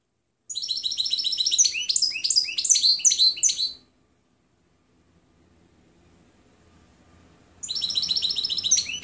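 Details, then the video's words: European goldfinch song used to train other birds: rapid twittering, tinkling phrases of high trills and buzzy notes for about three seconds, then a pause and a fresh outburst; clean recording with no other sounds. "12h Canto del Jilguero Limpio Chant chardonneret"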